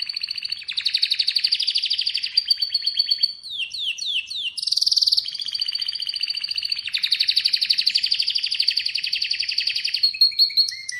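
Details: Long sustained song from an Atlantic canary: continuous fast trills, a few swooping downslurred notes, a loud buzzy phrase near the middle, then more rolling trills.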